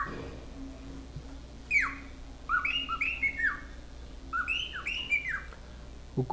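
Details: Cockatiel whistling and singing, played back as a lesson to a young male who listens attentively; clear slurred whistles, several descending and some rising, in short phrases over a faint background hum, with a brief clatter at the end.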